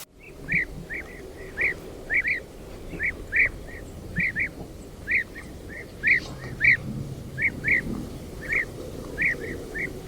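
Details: European Bee-eaters circling over their colony, calling out to each other in flight; short, rolling, fairly high notes repeated about twice a second, often in quick pairs, over a soft low background rumble.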